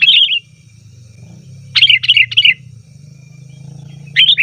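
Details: Rowdy sooty-headed bulbul call meant to lure wild birds in the forest and draw replies from caged bulbuls; bright, bubbly bursts of three to four quick warbled notes, repeated with short pauses, above a steady low hum.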